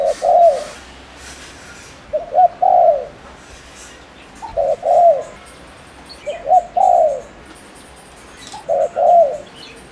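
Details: Spotted dove lure bird from Ninh Thuận, Vietnam, cooing at speed to provoke males: five mellow phrases of paired short hoots and a longer downslurred coo, with faint background noises.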